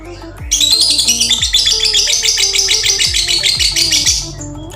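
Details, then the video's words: Lovebird tune hinted to develop into konslet continuous song in either sex: after a short pause, a burst of fast, shrill, tightly packed chattering notes runs about four seconds, with beat-driven music underneath. "Nada burung lovebird yang bisa konslet baik jantan atau betina"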